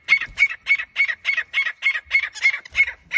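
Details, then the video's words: Grey francolin calling, in a recording presented as hunting sounds: a rapid, harsh series of short scratchy bursts, roughly three per second, evenly repeated throughout, with a faint steady high-pitched tone running underneath. "grey Franklin hunting sounds"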